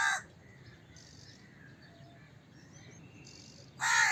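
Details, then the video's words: Crow calls: one harsh caw fading out at the start and another rising at the end, with a quiet gap between holding faint distant calls. "Crow Cawing Sound Effect, Voice of Crow, Crow Call Sounds, Crow Calling Sound, Crow Caw, Crow Bird"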